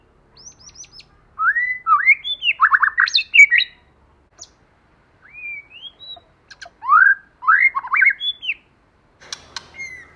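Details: White-rumped shama, male and female, used as a lure to fire up another bird, singing in wild forest style: bursts of varied rising whistles and quick slurred notes separated by short silences.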